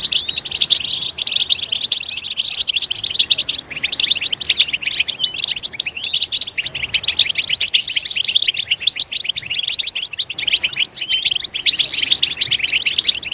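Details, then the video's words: Extended European goldfinch song meant to prompt goldfinches to sing: an unbroken, fast twittering of chattering trills and bright high notes, with a slightly buzzy stretch near the end. "Stimulating a goldfinch clip to make it chirp in a loud and wonderful voice"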